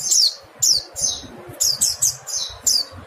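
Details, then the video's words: Mountain white-eye calling, a tutoring recording for songbirds: sharp, very high, descending thin notes, singly and in close pairs, about eight in three seconds, with soft low background noise. "Nada call pleci montanus/pleci kapur/pleci gunung"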